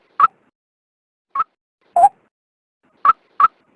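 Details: White-breasted waterhen female giving sparse single harsh notes, mostly higher-pitched with one lower note, spaced about a second apart; the call is used to lure males out for trapping.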